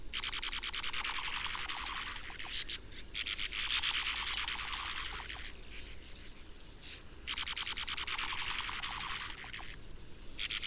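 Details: Sand martin song: dry, rasping twittering chatter in bursts of a second or two, with short pauses between, over a steady background hiss.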